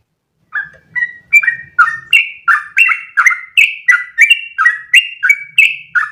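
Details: Sooty-headed bulbul singing a long, unbroken 'ropel' song used as training audio for other bulbuls: after half a second of quiet, rapid fluty chirps alternate between lower and higher notes, about three per second, with a faint low hum beneath.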